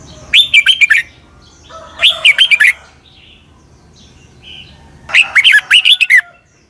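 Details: Red-whiskered bulbul, southern master song in 'double' style, played for birds to imitate: three energetic phrases of rapid, liquid whistles, the last one longer, with short pauses between.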